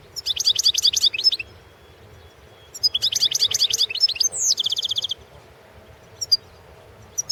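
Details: European goldfinch singing for the 2016 World Championship in Goldfinch Song: two loud bursts of rapid, high, metallic twittering about a second long each, then a slurred note leading into an even buzzy trill, with brief quiet chips after.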